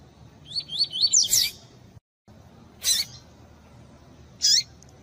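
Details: Double-collared seedeater (coleiro tui-tui), female calls used to warm up and stimulate a male, with male singing: a quick run of high chirped notes, then sharp loud bursts spaced about a second and a half apart.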